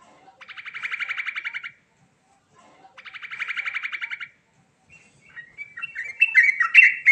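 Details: Yellow-vented bulbul (trucuk) singing in a rolling 'ngerol' style for lure use: two rapid buzzy rattling trills about 1.3 seconds each, separated by a pause, then scattered varied chirps and sharper notes.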